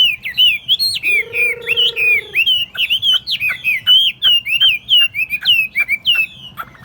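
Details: A Chinese Hwamei (Garrulax canorus) sings a loud, fast run of rich, varied whistled phrases, with a brief lower, drawn-out tonal note early on.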